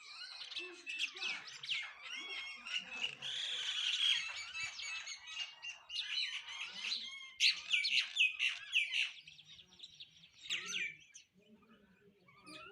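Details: A flock of sparrows chirping while eating: rapid, rather clear tweets, about four a second, run together into a lively chatter that fades to sparse calls at the end.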